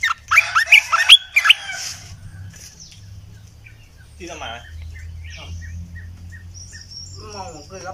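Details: Red-eyed bulbul, a caged decoy bird used for luring wild bulbuls, giving a quick burst of four or five bubbly, liquid whistled notes, then falling quiet while a man speaks and faint chirps continue.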